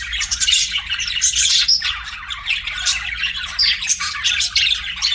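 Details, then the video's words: Budgerigar chirping: loud, busy high-pitched chatter with squeaky whistles and buzzy squawks packed tightly together, dipping briefly near two seconds before resuming. "BUDGIE CHIRPING SOUNDS"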